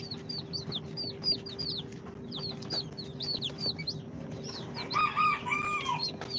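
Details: Day-two chicks hatched in an incubator, Sultan, Golden Sebright, Cochin and booted breeds, chirp in quick high falling notes; near the end lower, longer wavering calls join, all over a low electrical hum.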